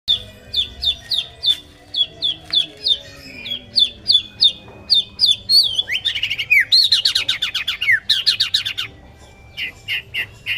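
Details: Male white-rumped shama singing: a run of quick, high whistled notes repeated about three times a second, then a dense burst of varied, sliding phrases and a few final clipped notes, with low background hum.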